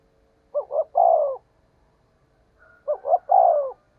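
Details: Spotted dove decoy call in the fast-paced "thúc gù giọng thổ đồng" cooing style, used to lure wild doves: two phrases about 2.5 seconds apart, each of two short rising hoots and a long falling coo, over a quiet background.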